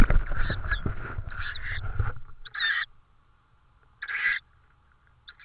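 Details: Tawny owl with prey in Estonia, 5 May 2013, 22:36; loud rustling and scraping at first, then two separate hoarse, screechy calls in near silence, the second louder and longer.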